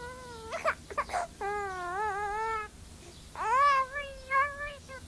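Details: Myna raised alongside a little baby boy copies a human baby's crying: long wavering, nasal wails broken by short squeaky yelps, sounding much like an infant sobbing indoors.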